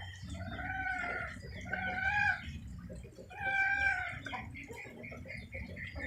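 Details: Chickens in the rain giving long, wavering, nasal cackles, three main drawn-out phrases about a second each with shorter clucks between, against a background of steady falling rain.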